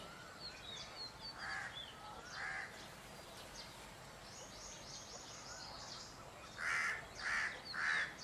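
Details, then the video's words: Peacocks at Peacock Valley give loud, harsh, nasal cries: two single calls, then a quick series of three about half a second apart, with smaller birds chirping and twittering in the background. "Peacock calls"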